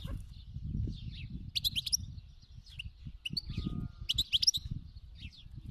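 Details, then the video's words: European goldfinch of the wild khalawi type twittering in scattered quick phrases of high chirps and trills, partly masked by a loud low rumble and background noise. "اين عشاق تغريد الحسون الخلوي اسمع هذه الحسون"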